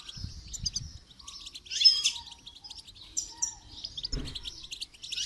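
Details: A goldfinch being trained to sing with motivational rewards gives a fast, high, tinkling twitter of short chirps and trills, with a few low thumps and a brief click in the background.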